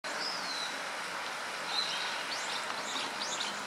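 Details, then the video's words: A Grey Wagtail (Motacilla cinerea) gives thin, sharp high notes, with a few quick ones near the end, over a steady rushing hiss, recorded 15 October 2015. "キセキレイ kisekirei"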